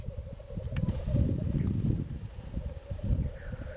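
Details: Black grouse at a lek in east Wales in March: an even low bubbling hum continues under wind rumble, with a brief faint rising-falling higher note near the end.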